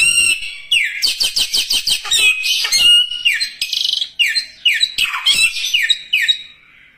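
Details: Energetic bird song opening with a quick burst of short ticking notes, followed by loud, ringing down-slurred whistles and harsher buzzy phrases, delivered in a varied, fast sequence against a silent background.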